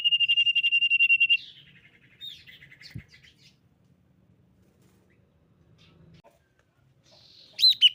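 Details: Common iora lure song: a brief high pulsed trill of about a second, then soft scattered chirps and a long quiet stretch. The song ends with a short loud rising-and-falling whistled note.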